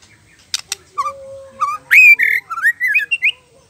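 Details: White-rumped shama, a contest songbird, singing: a sharp double click, a long steady low whistle, then loud rich rising and falling whistled notes strung quickly together.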